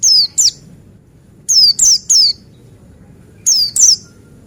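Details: Buxtoni white-eye, a yellow-breasted male, used as a lure to get white-eyes singing: thin, high whistled notes sliding steeply downward, given in pairs or triplets with gaps of about a second, over quiet low background hum.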